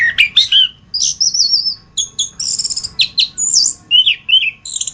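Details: Orange-headed thrush (anis kembang) singing for masteran tutoring: a quick tumble of notes, then a long wavering high whistle, clipped repeated chips and varied slurred whistles, with steady phrasing to the end.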